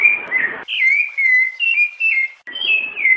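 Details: Rufous-bellied thrush giving Piedade-type song alongside female calls: clear whistles that dip then level out, a longer drawn note midway, sung in short connected bursts with faint hiss behind.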